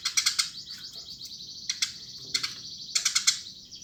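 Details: Eurasian tree sparrow, called burung gereja, chirping in lively bursts: clusters of sharp, high chirps separated by short pauses, with a steady high chatter between bursts and little background noise.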